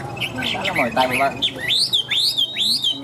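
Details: Tame caged Chinese hwamei from Vietnam, noted for its loud, ringing voice. Low murmuring and chatter come first, then three clear upswept whistles repeat at a brisk, even pace.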